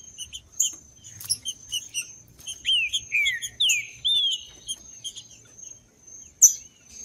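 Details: In the woods, a green-winged saltator sings a string of rich whistles curving downward, played to heat up caged birds. Many sharp high chirps from other birds come before and after, and a steady thin drone runs throughout.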